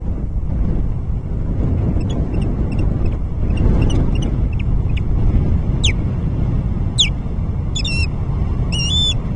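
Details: Osprey at its nest, filmed by a nest camera at Alyth Substation on 30 July 2024. Thin, high chirps come in short clusters, then sharp rising and falling whistled notes. A loud, steady low wind rumble runs underneath.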